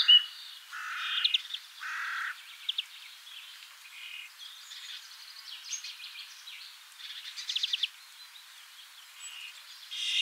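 European greenfinch calling: a varied run of twittering chirps, quick trills and buzzy notes at mid to high pitch, with louder bursts near the start and end.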